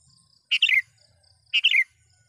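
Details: Sooty-headed bulbul call meant to draw in wild rivals: two rich phrases a second apart, a harsh note slurring into tumbling, descending liquid whistles, over a soft high hiss and faint low murmur.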